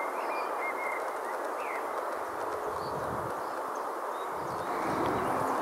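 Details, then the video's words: White stork on a purpose-built nest platform in Hähnlein, southern Hesse, clattering its bill in a dense, dry, rapid rattle with steady wooden knocking after returning from a flight; a few thin small-bird whistles early on. "Klapperstorch - Weißstorch"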